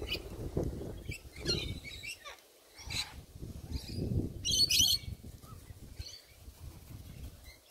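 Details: Morning cockatoo calls from sulphur-crested cockatoos, birds noted for stripping greenery and chewing cedar cladding: scattered rasping squawks build to one loud, grating screech midway, with low rumbling noise beneath.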